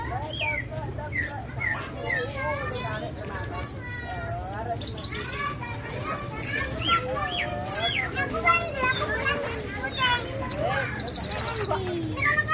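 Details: Song of a Javan bushlark, parva form: scattered thin chirps and rapid twisting slurred notes mixed with short high rattling trills, continuing over a low steady hum with occasional soft voice-like tones.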